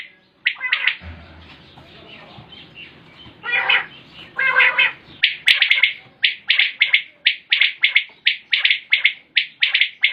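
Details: Common quail (batair) calling, recorded 2020: after a noisy, rustling opening with a low hum, short sharp clipped notes repeat rapidly and steadily, about two to three per second, through the second half.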